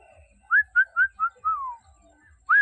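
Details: Pet common hill myna kept by its owner, who calls it to come inside; a series of short clear whistled notes rising and falling, then a longer descending whistle, a pause, and a final loud whistle.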